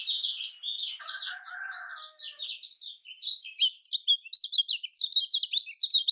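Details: Lemon-bellied white-eye from Lombok giving buzzy high chatter that turns into crisp, rapid zigzag twitters, with a lower drawn-out buzz briefly underneath.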